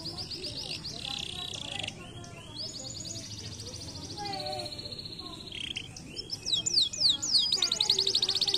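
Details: Canaries sing long, buzzy trills and sustained whistled notes, then end with a burst of sharp, sweeping chirps and a dense trill.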